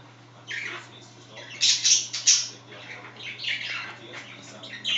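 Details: Chatting pet budgies, one scratching: soft warbles building to loud scratchy squawks, then quieter chirping twitters, all over a faint steady hum.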